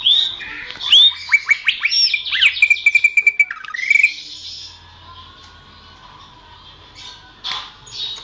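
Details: Greater green leafbird song used as a master recording for training songbirds: a rapid run of clear whistles and sharp downslurred notes, then a steady repeated whistled note, fading into quieter scattered chirps.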